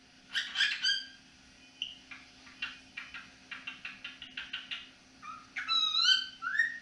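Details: Indoor pet cockatiel whistling in the evening: bright whistled notes, a run of short rapid clicks and chirps, then rising and falling melodic whistles at the end.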